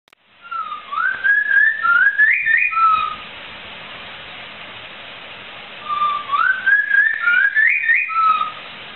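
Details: Laughingthrush (poksai) singing actively, a tutor recording for cage birds: two bursts of clear whistled phrases, slurred notes stepping upward then ending on a lower flat whistle, separated by a pause of steady hiss.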